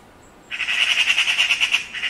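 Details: A Eurasian magpie gives its rattle, a harsh, dry chattering of rapid notes, roughly ten per second, sustained for well over a second.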